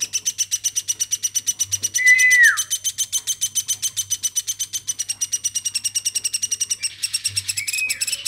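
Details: Hand-raised woodpecker, cared for from a baby, calling at length: a quick, regular chatter of raspy pulses, interrupted twice by a descending whistled note, with a low hum in the background.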